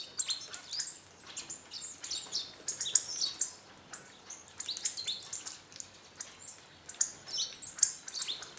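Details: A flock of about 20 hawfinches visiting a garden bird feeder under a walnut tree in northern Hungary gives a rapid scatter of short, sharp, high ticking calls, overlapping and irregular, several every second.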